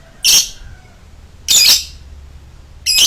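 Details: Lovebird in a long choking display: three loud, harsh, shrill screeches, each about a quarter second long, spaced over a second apart against a quiet background.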